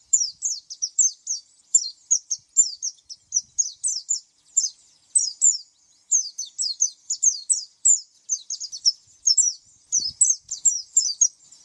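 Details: Long, steady run of oriental white-eye song, rapid high-pitched chirps repeated in tight clusters almost without a break, bright and sibilant; a faint low thump near the end.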